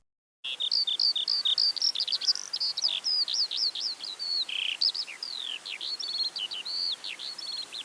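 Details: Eurasian skylark singing continuously high above wheat and barley fields in the West Sussex countryside, unseen from the ground; a rapid, unbroken stream of high chirps, trills and slurred whistles with no pauses, faint background hiss.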